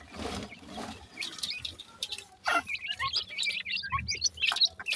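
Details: Teetar (francolin) chicks: after some rustling, a busy burst of short, bright, high-pitched cheeps and twitters crowds the second half.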